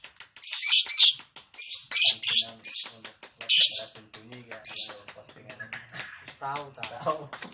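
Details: Lovebird chatter with koek and ngetik sounds, used to get other lovebirds singing: loud, raspy high bursts in the first half, then softer squeaks over a busy background of low voices and clatter.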